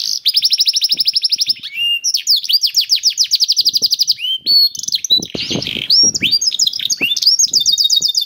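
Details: Canary singing to prompt other canaries: a long high trill, then varied rolling trills, slurred notes and a rough buzzy burst, with soft background taps.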